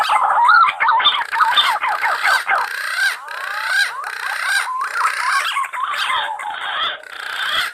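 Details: Green pigeons in the wild, calling lively: many curving whistles overlap in a busy, wavering chorus, notes rising and falling in quick succession without pause for nearly eight seconds.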